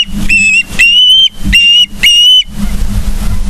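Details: Ospreys calling on a Charlo, Montana live cam, 31 August 2023 morning: four quick piercing whistled notes, each rising slightly, in rapid succession before low hum takes over.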